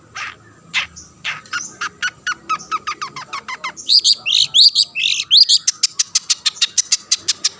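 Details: Long-tailed shrike singing to provoke other shrikes, opening with a series of sharp ticking clicks, then a burst of harsh scratchy slurred notes, then fast regular clicks again.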